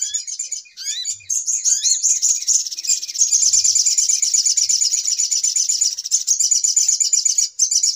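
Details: Trapping lure of the little spiderhunter, a noisy 'pikat ribut' sound: a few rising slurred whistles at the start lead into a continuous fast, shrill chatter that runs without pause.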